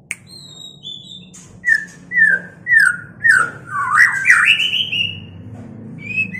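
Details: Mating white-rumped shama: high thin whistles, then a run of five clear, downslurred whistled notes about half a second apart, climbing into a fast, twisting warble and ending with a short high phrase.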